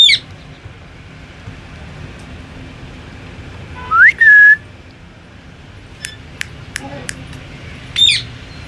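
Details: An Indian ringneck (rose-ringed) parakeet, a talking pet parrot, gives a quick rising whistle and a held clear note, then sharp clicks and a final whistled phrase over a quiet room hum.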